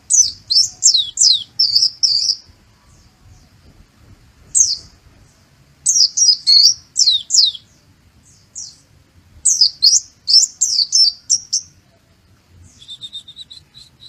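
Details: White-eye (pleci) singing a learned sunbird song, kolibri muncang / sogok ontong style: rapid bursts of high, thin, sharply slurred twittering notes, three phrases of about two seconds separated by short pauses.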